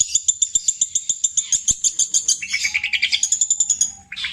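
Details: Captive long-tailed shrike from Java pouring out mimicked song in the petir style, copying tengkek buto, kuntilanak and greja, phrases long and repeated: a fast high chatter of about three and a half notes per second, shifting lower near the end.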